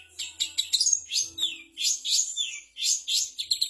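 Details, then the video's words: Long-tailed shrike singing a mimicry medley that includes imitations of canary, fighting sparrows, prinia and kapas tembak: a dense run of high, rapid chirps, trills and sharp downslurred notes with hardly a pause, over a faint low hum. "Burung cendet materi kapas tembak, kenari, gereja tarung, ciblek"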